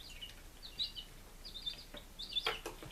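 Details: Baby chickens five days old in Lunenburg, Massachusetts, 23 July 2017, giving slurred, high peeps in short runs, followed by a few sharp knocking clicks.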